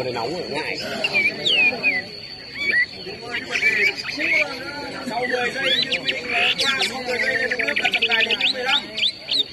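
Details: Chinese hwamei at a 2019 interprovincial hwamei competition in Lào Cai city, paired against each other, sing loud, varied whistled phrases with rapid slurred and rising notes almost without pause; people talk throughout, steady high tone underneath.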